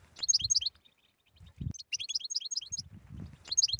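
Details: Stimulating tetsetsa song of the European goldfinch, meant for silent birds: high, rapid, sparkling twitter phrases repeat after short breaks, and faint thumps and rustles sound beneath.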